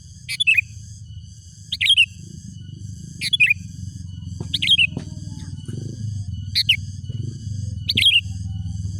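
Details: Sooty-headed bulbul calling rivals: six short phrases of a sharp note and a quick descending whistled slur, repeated roughly every one and a half seconds, over a loud continuous low rumble.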